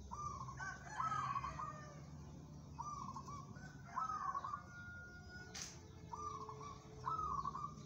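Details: Local zebra dove, described as steel-nerved and fit for song competition, giving soft cooing phrases with a quick trilled, stuttering texture. Five phrases are spread unevenly over about eight seconds, with a brief sharp click midway.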